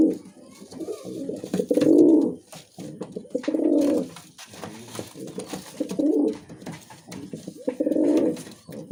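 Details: Musaldom pigeon, a domestic breed, cooing four times about two seconds apart, deep and rolling, in a small room with soft background rustle.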